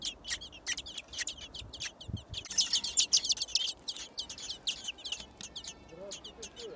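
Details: Six thrush nestlings in a garden nest beg while being fed, a dense chorus of high, thin chirps repeated rapidly and irregularly, swelling louder midway through.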